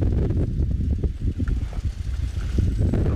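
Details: Deep engine rumble and gusting wind noise with muffled voices at sunset, and no animal calls.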